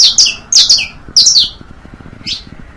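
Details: Saffron finch singing as a teaching model for young birds: paired high chirps, each followed by a lower buzzy slur, in three quick groups, then one fainter down-slurred note after a gap.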